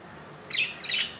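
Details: Newly hatched budgerigar chick in its nest, second day after hatching on 15 July 2018; two quick, high, scratchy chirps in close succession.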